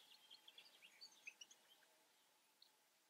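European goldfinch giving a faint, quick run of tinkling, twittery notes for under two seconds, then a single late chip over soft background hiss.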